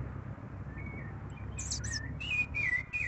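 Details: Rufous-bellied Thrush singing on the first Sunday of spring: short whistled, warbling phrases of mid pitch, with higher, thin chirping notes above. Steady low background rumble throughout.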